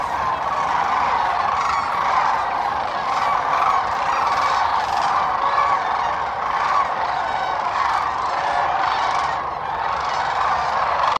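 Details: Sandhill cranes calling at dawn from their overnight roost on the Central Platte River, Nebraska, a spring migration staging area, before flying to fields to feed: a dense, continuous chorus of overlapping rolling, trumpeting calls from many birds.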